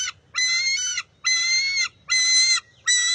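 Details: Bald eagle eaglet at the nest on June 23, 2021, competing with its mother over a fish and stealing it back. Loud, high, shrill squealing notes, each held nearly a second, repeated four times with brief gaps.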